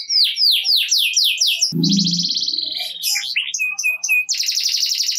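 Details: Vigorously singing canary in the 'ngerek' style, played to prompt lazy canaries to start singing: rapid descending whistled sweeps, then a buzzy trill, short clipped notes and a dense high rattle, with a brief low buzz in the middle.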